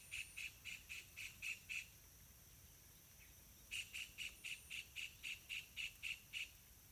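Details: Yellow-vented bulbul in a pineapple garden, where parents feed two chicks wild fruits and small insects, giving short, bright, mid-pitched notes, about four a second, in two bursts around a brief pause; quiet outdoor hum beneath.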